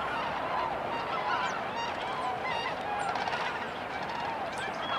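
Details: A flock of Tundra swans in Yolo County, California, calls continuously in a dense chorus of many overlapping, mellow, honking whoops at mid pitch.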